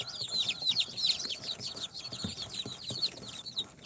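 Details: Baby chicks hatched from an incubator, day four, Sultan, Golden Sebright, Cochin and booted types, peep loudly in quick bursts of piercing, falling notes, several birds calling over one another.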